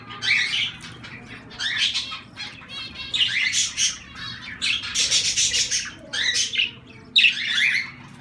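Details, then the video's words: Zebra finches producing a dense run of nasal, buzzy calls and harmonic honks that overlap in quick, irregular bursts, high-pitched throughout. "Zebra Finches"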